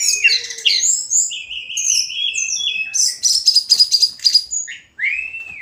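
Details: Tledekan gunung (hill blue flycatcher) in daily song: twittering notes that lead into a drawn-out level whistle, a fast rattling trill, then a final rising, bending whistle after a brief silence.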